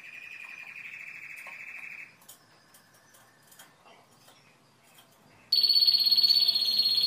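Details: Timbrado canary singing: a fast, even rolling trill held for about two seconds, a near-silent pause with faint clicks, then a loud, high, metallic buzzing tour starts abruptly.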